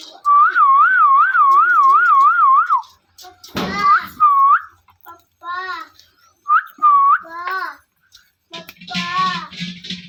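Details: Parrot giving natural chirping calls: a long warbling whistle wavering up and down rapidly, then short looping whistled notes and a few harsh squawks, in a quiet setting.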